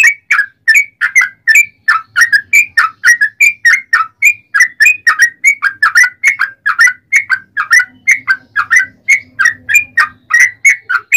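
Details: Yellow-vented bulbul song used as a lure to provoke other bulbuls to sing: a long, fast, unbroken run of short bubbly whistled notes, about three or four per second, rising and falling.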